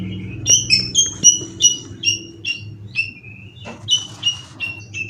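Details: Caged Indonesian white-rumped shama, a twelve-time contest winner said to be in top condition with cililin song material. A quick series of short, bright, paired whistled notes repeats steadily, then brief noisy bursts and more whistles follow.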